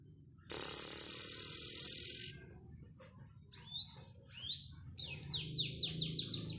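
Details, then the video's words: Loud hissing noise covers the first two seconds, then a panda canary sings rising slurred whistles and a rapid series of high downslurred notes. "Suara Burung Kenari Panda"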